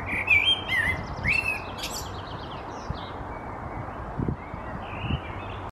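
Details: Common blackbird perched in a tree in Helsinki, Finland, May 2022, sings a few mellow, fluting whistles with a thin twittering flourish, then fainter phrases over a steady low rumble.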